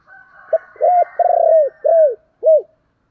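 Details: Captive decoy spotted dove, thúc and calling coos meant to lure wild birds: a quick note, a rounded coo, a rapid quavering coo falling away, another arched coo and a final short coo.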